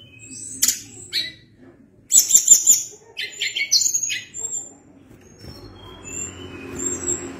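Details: Sunda blue robin in energetic, long rolling song: sharp high clicks and buzzy chatter, then a burst of rapid ticking notes near two seconds, followed by thin high whistles over a faint low hum.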